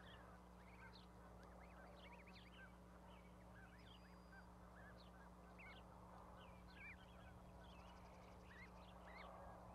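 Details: Goslings on a raised osprey nest platform with their mother at Charlo, Montana, on 12 May 2020. Many soft, high, arched peeps scattered throughout, fairly faint over a steady low hum.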